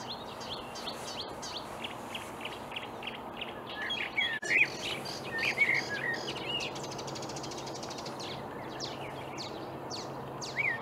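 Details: Early-morning May song of a marsh warbler in reed, Upplands Väsby, Sweden, 2020; quick series of dry ticking notes followed by looping whistled phrases and chatter, moderately loud against a soft noisy background.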